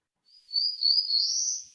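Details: A Black-throated Blue Warbler gives its rising "easy"-like song: a single high, buzzy phrase of about a second and a half climbing steadily in pitch toward the end.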